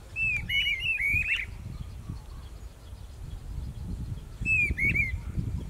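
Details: A Streamer-tailed Tyrant pair in Pompéu, Minas Gerais, Brazil, duet in two bursts of quick, rising and falling whistled notes with sharp high ticks, over low rumbling background noise.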